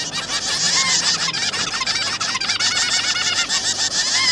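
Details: Newly hatched zebra finch juveniles and their parents during feeding; a continuous dense chatter of rapid high nasal calls fills the whole stretch without pause, with a low hum under it.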